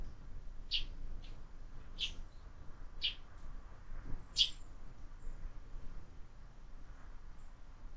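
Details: Sparrows at a window-mounted feeder where birds are fed year-round, with more and more fledglings arriving: a handful of short, bright chirps scattered at irregular intervals over a low, steady rumble.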